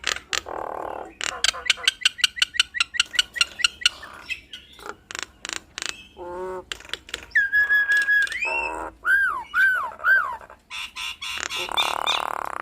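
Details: Nias hill myna in full song, displaying its stock of learned phrases to spur quiet mynas: a rapid string of sharp clicks and ticks, then drawn-out whistles rising and falling, ending in a steady hissing rasp.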